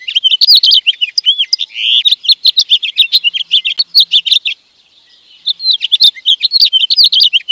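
Fast, high twittering of sparrow and goldfinch: tinkling chirps and liquid trills pour out almost without a break, with one brief pause midway.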